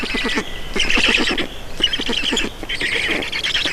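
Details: Feeding at a Black Stork nest in Estonia, 4 June 2019, 18:07: three rattling bursts of harsh squawks, each with fast stuttering clicks beneath a hoarse hiss.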